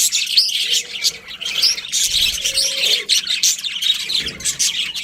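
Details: Budgies chirping together: quick, sharp high tweets and warbling chatter, pulsing in bursts with a few short softer gaps.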